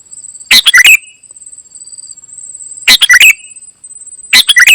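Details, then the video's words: Ruby-throated bulbul, called kutilang emas, singing vigorously as gacor isian filler song. Three short bursts of sharp, chirpy notes, each a quick cluster of three or four, arrive about two seconds apart over a faint steady high whine. "Ternyata seperti ini suara burung KUTILANG EMAS 😲 gacor isian"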